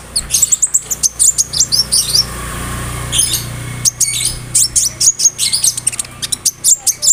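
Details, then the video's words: Konin bird singing a rich song with imitations of cricket, brem, kamade and rambatan, used to tutor other songbirds; rapid high chirps and thin whistles in quick bursts, a brief pause around the third second, then more clipped notes, over a low hum. "SUARA KONIN GACOR ISIAN JANGKRIK, BREM, KAMADE, RAMBATAN FULL MEWAH"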